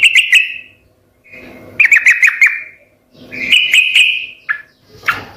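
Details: Sooty-headed bulbul singing gacor style so other birds answer: three clear whistled phrases of stuttered notes, each about a second long and separated by quiet gaps with faint rustling.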